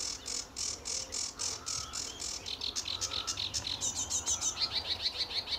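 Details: Lively sedge warbler singing in the early morning at RSPB Fowlmere, July 2013: steady repeated harsh chirrs that shift into quicker chattering, with rising whistled slurs and a fast closing trill.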